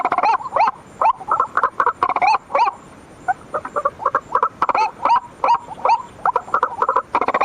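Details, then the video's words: White-breasted waterhen lure call at night: dense, overlapping harsh croaking notes in rapid irregular bursts, a brief lull near the middle, then the busy calling resumes. "suara pikat ruak ruak langsung ngikut"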